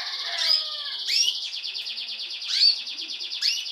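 Timbrado canary nestlings keep up a continuous high, rapidly pulsing chorus, broken every second or so by sharp squeaks that sweep steeply downward.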